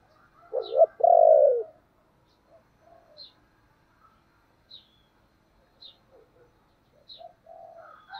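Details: Spotted dove singing in the 'thổ' voice style, with urging and calling coos. One strong low phrase: a doubled opening note and a long, full coo. Afterwards come quiet notes and regular high bird chirps.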